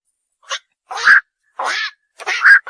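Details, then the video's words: Night heron, known locally as bakchu or ok bird, giving four short harsh croaking calls, each a rasping burst under half a second, separated by silent gaps; no other sounds. "বাকচু পাখির ডাক / অক পাখির ডাক / বাকচো পাখির সেরা ডাক / Bukcu pakir duk/ Night Hiron Bird call"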